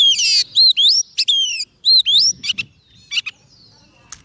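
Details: Oriental magpie-robin song used to call in wild birds: a rapid run of loud whistled notes, bright rising and falling slurs, and one harsh buzzy note at the start, fading to softer scattered notes.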